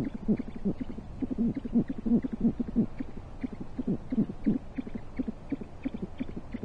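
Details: Great horned owls at a camera-watched nest in Corona, California, shortly before 1 pm on 14 January 2023, as the male brings prey to the female; a busy stream of short, deep hoots, quickly repeated and slightly uneven in rhythm.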